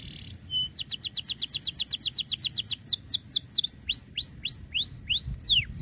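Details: Canary in full song, used as tutor for canaries that have stopped singing; a brief high buzz, then a rapid trill of sharp descending notes about six per second, slowing into longer sweeping downslurred whistles.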